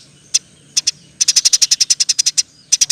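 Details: Eurasian tree sparrow delivering rapid 'roll tembak' chirping, a master recording for training songbirds. A few spaced sharp chips lead into a long, even run of about fifteen high chirps, then a short burst at the end.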